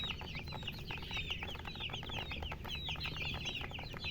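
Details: Baby chicks give busy high-pitched peeps, quick downward and upward chirps crowding together without pause over a low background rumble.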